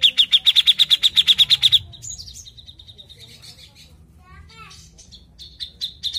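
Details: A Grey-cheeked Bulbul in full song, used as a lure recording, opens with a quick run of about a dozen sharp, high ticking notes, then breaks into varied chattering phrases and thin whistles.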